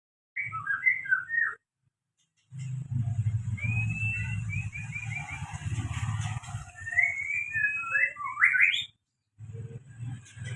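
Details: Javan white-rumped shama singing loud phrases of clear whistled notes, some rising and some in quick falling runs, with short pauses between phrases, over a strong low rumbling hum.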